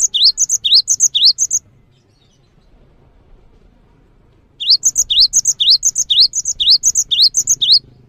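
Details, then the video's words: Java sparrow song played to get birds singing: a run of high paired chirps that breaks off, a quiet gap of three seconds with faint low hum, then a longer run of the same rising-and-shrill pairs. "suara mp3 burung gelatik langsung gacor"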